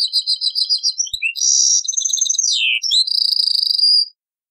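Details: European goldfinch singing a Taqsrayn-style song, copied from an old cassette: rapid high twittering notes in quick series, then a sweeping downward slur and long buzzy rattling trills, ending abruptly.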